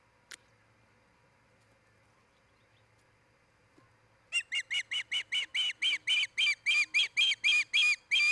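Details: Osprey calling at a nest in Charlo, Montana, where a breeding pair is raising a family: after quiet and one short click, a fast sequence of shrill, whistled chirps begins and repeats evenly several times per second to the end.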